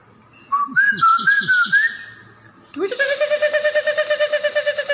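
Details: Leafbird song used as a training recording for other songbirds: a few rising whistled notes, then a loud, buzzy, pulsing note held steadily for about two seconds.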